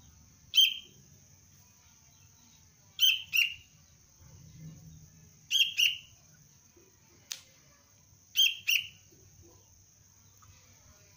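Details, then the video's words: Juvenile sooty-headed bulbul under basic lure training calls in clear, high, pointed chirps, mostly in pairs, repeated roughly every two to three seconds, with a faint click and continuous high hum. "Anak kutilang pelatihan dasar untuk pikat Cengkram"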